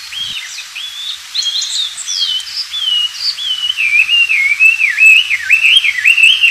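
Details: Wild Oriental magpie-robin singing actively, recorded as a tutor song for white-rumped shamas: a continuous, varied run of clear whistled phrases, slurred up and down, with quick trills and twittering notes and no pauses.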